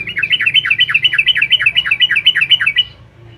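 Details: Trucukan (yellow-vented bulbul) pouring out a gacor song to stir up rival birds: a fast, continuous string of liquid, bubbly two-part notes, about four per second, held for nearly three seconds before stopping.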